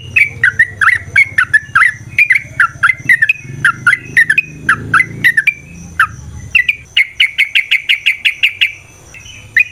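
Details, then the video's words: Yellow-vented bulbul singing its long fighting song to provoke rivals: a string of clipped downslurred chirps, then a dense, buzzy run of rapid notes near the end. "Suara Burung TRUCUKAN gacor TARUNG ROPEL PANJANG pancingan trucukan agar JADI trucuk gacor EMOSI"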